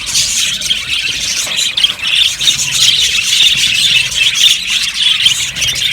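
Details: Yellow budgies in a colony aviary chattering loudly, repeated squawky chirps roughly twice a second above a dense high twittering background of many birds.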